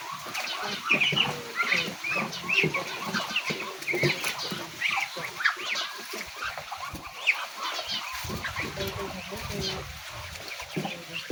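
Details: A flock of farm ducks follows their owner and calls impatiently for food, a continuous jumble of brief, high, nasal cries from many birds overlapping throughout, with some rustling and faint human voice in the background.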